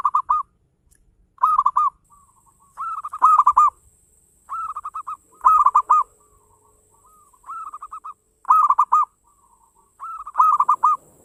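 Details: Lively local zebra dove song, played to coax other doves into singing: short bubbling trilled coo phrases repeated about every one and a half seconds, each ending in quick looping notes, with a faint high hum behind.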